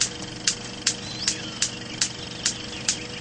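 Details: Superb bird-of-paradise mating call, added as soundtrack to Papua New Guinea footage: sharp, harsh clicking notes repeated about every 0.4 seconds, with faint thin whistles between them over a low steady hum.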